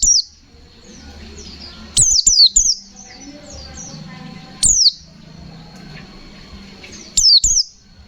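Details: Pleci white-eye in energetic 'ngalas nembak' fighter song, giving three clusters of piercing high down-slurred whistles about every two and a half seconds, separated by quiet gaps with soft low background noise.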